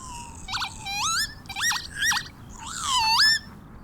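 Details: Wild northern lapwing giving its springtime display-flight song high above the ground, its rising end timed with the vertical dive: strange, almost electronic wheezy notes sweeping sharply upward, with a quick series of slurred swoops and a final long rising wail.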